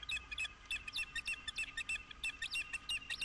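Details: Osprey at Dunrovin Ranch on 11 April 2016, calling during mating: a fast run of high, squeaky chirps, roughly three per second, each short and slightly upslurred, over a faint steady low hum.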